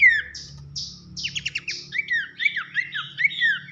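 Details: Horsfield's babbler (pelanduk semak) training song, loud whistling nyiul style: clear whistled notes sliding down, then quick buzzy trill bursts and rising-falling whistles in a fast chattering run, over a steady low hum.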